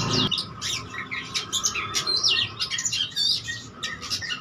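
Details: Oriental magpie-robin, vigorous challenging song full of imitated phrases: scratchy squawks interleaved with thin whistles and chirps in quick irregular bursts, over a steady hum.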